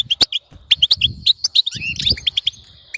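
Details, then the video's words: European goldfinch singing a fast twittering run of bright tinkling notes and short trills, a few sharp clicks, faint low background rumble "بتبتة تخلي حسونك لا يعرف الصمت"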